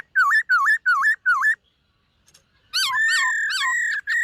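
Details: White-cheeked laughingthrush in morning song training while displaying: four rhythmic dipping whistled notes, a brief pause, then wavering whistles running into a long held note.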